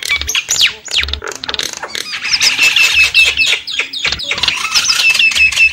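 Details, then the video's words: Javan myna lure sound meant to draw in wild birds: rapid, rough squawks and scratchy whistles, about three a second, overlapping into a noisy, crowded chorus. "suara pikat burung jalak kebo"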